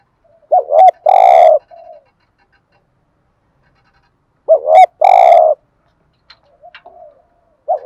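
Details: Cooing of male and female spotted doves, used to excite a trained bird. Two loud phrases about four seconds apart each open with a quick double note and end in a long, buzzy, vibrating coo.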